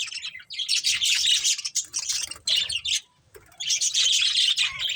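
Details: A budgerigar breeding pair chatters almost nonstop, a loud, continuous high warble of scratchy chirps broken by one brief silence before resuming.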